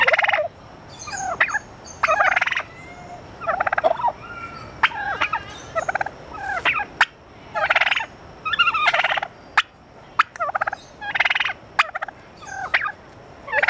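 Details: Zoo turkeys in San Francisco keep up a long run of gobbles, rattling pulsed bursts every second or two, broken by sharp clicks and short yelps, over a steady background hum.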